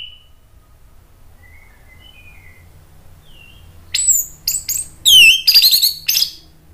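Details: Orange-headed thrush lure song intended to provoke a reply. After faint distant whistles, a quick cluster of loud, sharp, clipped notes and a swooping whistle bursts out near the end.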